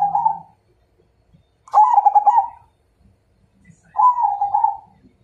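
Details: ['Perkutut Majapahit zebra dove calling out as if challenging a rival to fight, giving three phrases of trilled, rolling coos with pauses of about a second and a half between them; faint low rustles in the background.']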